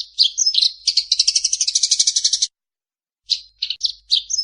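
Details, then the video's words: A Eurasian tree sparrow calls while fighting: a few chirps lead into a fast buzzy chattering rattle, then silence, followed by four more clipped chirps. "SUARA GREJA TARUNG TERBARU"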